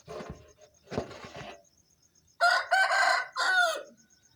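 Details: Aseel rooster giving a dawn wake-up crow around 4:30 am on a farm: two rough clucking bursts, then a loud three-part harsh crow with a long middle note, over a faint high insect trill.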